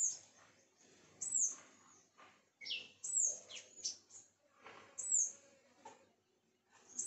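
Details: High, thin downslurred notes from sunbirds at a home, interspersed with shorter lower sweeps and chirps in an uneven rhythm.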